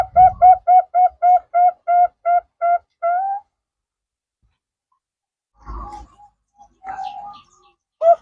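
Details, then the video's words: Trapping lure of the zebra dove (perkutut, Bangkok and local birds): eleven sharp, evenly spaced coo notes about a third of a second apart, the last rising, then near silence broken by a few soft notes and knocks. "Pancingan Perkutut FULL,perkutut Bangkok,Pikat perkutut,perkutut lokal gacor"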